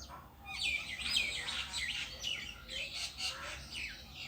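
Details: A bird alone in a tree twitters fast, about two chirps a second, high bright notes running together in short clusters over a quiet low hum.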